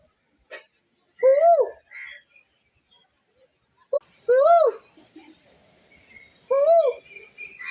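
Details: Asian koel (koyal) trying to communicate: three loud, arched whistled notes that rise then fall, spaced about two to three seconds apart, with scattered clicks and faint background noise between them.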